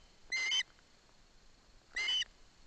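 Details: As its father brings a fish, an osprey chick in Barlinecka Forest, attended by its mother, utters two separate high, sharp whistled squeals about one and a half seconds apart over a quiet background.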